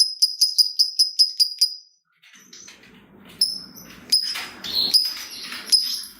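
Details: Lovebird ngetik lure song: eight crisp, high ticks in quick, even succession, a brief silence, then scratchy chattering with sharp shrill accents over a low rumble of background noise.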